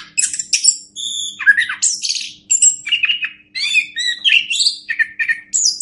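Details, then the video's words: Orange-headed thrush singing on a master track meant to teach other birds, with energetic mixed phrases of clear whistles, buzzy notes and rapid chips following one another without break. "Masteran Anis Kembang"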